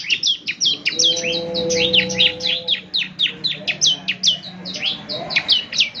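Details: A ciblek semi's continuous gacor chatter, played every morning to get other birds calling back: rapid high chirps and downward slurs packed close together, with a steady faint low tone in the middle.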